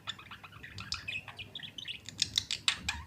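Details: Budgerigar pair kissing: dense, fast warbling chatter of chirps and clicks, ending in sharp, loud high ticks repeated several times a second.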